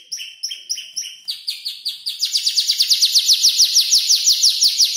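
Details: Young canary, about five months, arranging a song copied from tutor birds; a few paired chirps, then a long, loud, rapid trill of descending notes.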